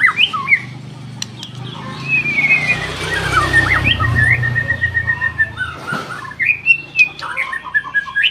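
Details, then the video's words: Energetic white-rumped shama song from an F4 bird: varied clear whistles and slurred notes, some long level whistles and quick upward flicks, with broadband noise and low rumble in the background. "KICAUAN BURUNG MURAI BATU F4 GACOR"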